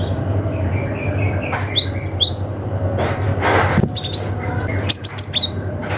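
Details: Cinereous tit in wild-forest style, calling rivals and used as a lure for young wild birds: bursts of short, thin, high chirps, some rising and some dropping, in two clusters, over a steady low hum with a broad thump midway.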